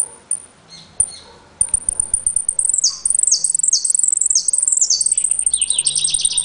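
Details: Caged saffron finch (jilguero) from Trenque Lauquen singing repique, golpe and pitadas: sharp high clicking notes, then a dense run of fast, high, buzzy descending phrases repeated in quick succession.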